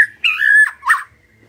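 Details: White-rumped shama singing after a lure recording: a brief clear whistled phrase, one level note sliding slightly, then a short lower warbled note, with quiet surroundings.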